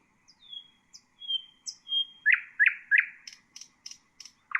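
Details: Common nightingale, recorded for bulbul and songbird training, gives drawn-out pure whistles, then three loud throaty falling notes and a sequence of short high clicks.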